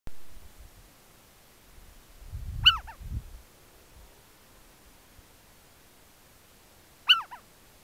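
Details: Little owl (Athene noctua) calling from a post, caught on a trail camera at Goodenbergh Country Park on 21 September: two sharp, piercing, downslurred kiew calls about four seconds apart, with a low wind or handling rumble.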